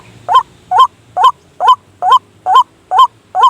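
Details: Night-time trapping lure of a white-breasted waterhen: steady series of eight strong nasal hoots, each with a quick upward-bent inflection, spaced at a regular rhythm of roughly two per second, with faint low hum behind.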